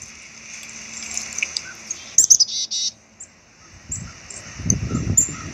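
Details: Black-capped chickadee giving a short run of buzzy, harsh notes near the middle, with faint low rumbling and background noise toward the end.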